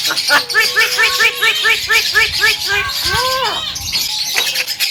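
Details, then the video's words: Javan myna singing vigorously, a recording meant as a training master for other birds: a quick series of short, harmonic rounded notes, then two loud arched squawks, with busy chirping from other birds behind. "SUARA BURUNG JALAK KEBO PALING GACOR"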